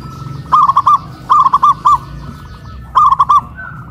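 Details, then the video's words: Caged local zebra doves in Kuningan, West Java, hoisted high on a pole, where their voices ring louder; big-voiced and crystal-voiced birds in a duet. Three bursts of four or five quick, bubbly cooing notes, with a steady thin tone in the background. "PERKUTUT LOKAL SUARA BESAR VS SUARA KRISTAL"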